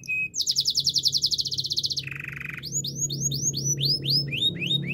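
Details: Belgian canary training song opening with a short whistle and a rapid high rattling trill, dropping to a lower buzzy roll, then looping rising-falling notes repeated about twice a second, with a soft low hum behind.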